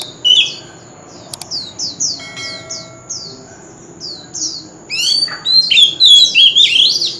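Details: Oriental magpie-robin, a mature wild bird singing loudly across a street corner: a soft series of evenly repeated high downslurred whistles, then a loud rapid run of twittering song. A few clicks can be heard.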